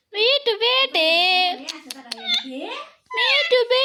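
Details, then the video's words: An Alexandrine parakeet, a talking "pahadi" parrot, repeats short words like "mummy", "mithu", "bete" and "papa" in a high, nasal, childlike voice, in quick bursts with a brief pause before the last phrase. "pahadi parrot talking mummy mithu bete"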